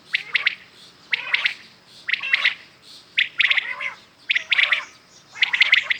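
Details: Common quails calling in the morning, recorded as a clear sound of real quails for hunting; bright, bursting three-part notes repeat about once a second, with fainter lower curved notes between them.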